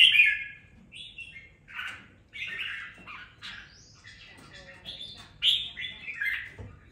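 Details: Red-whiskered bulbul kept and raised for two weeks, now singing with a little fire: a busy run of warbled, chirping phrases, some rising to sharp whistled peaks, with short gaps between bursts.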